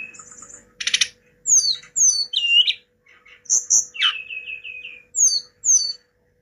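Hill blue flycatcher giving a varied, high, sweet song of quick whistled slurs and short descending trills, with a brief buzzy rattle and a faint steady hum.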